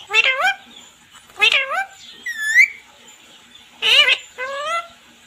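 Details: Parrot chirping its 'mummy papa' call: loud, rough harmonic squawks that bend upward, a clean rising whistle in the middle, and more stacked rising calls, over a steady faint background hum.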